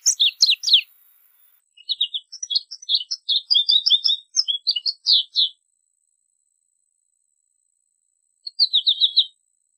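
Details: A short burst of chirps, then a sweet twittering phrase of varied high notes from an American goldfinch, followed by a long silence and one more brief twitter near the end; a faint steady tone sounds throughout.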